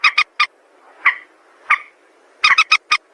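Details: White-breasted waterhen calls, used as a lure for trapping: harsh, nasal notes in quick bursts of two or three, separated by single drawn-out croaks, then a rapid run of four to five notes at the end.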